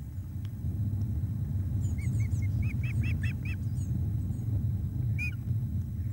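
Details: Loch of the Lowes ospreys, evening of 17 July 2021, fish brought to the nest by the male for the female: a run of short, evenly spaced whistled chirps that builds slightly, then one more chirp after a pause, over a low hum.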